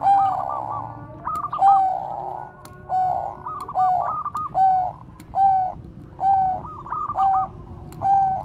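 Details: A Bangkok-type zebra dove, used as a lure bird, gives soft, rolling coos in short bursts roughly every second or two, with faint clicks and other chirps in the background.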